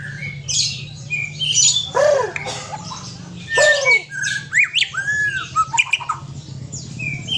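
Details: White-rumped shama, Aceh type, with a companion, giving scattered harsh arched squawks and short whistled slurs separated by pauses, against a constant low hum.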